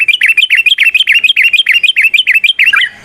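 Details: Trucukan, the yellow-vented bulbul, in fast rolling ropel song: a loud, rapid stream of about fifteen repeated bubbly, warbled phrases, roughly three per second, clear and close, ending in a falling note.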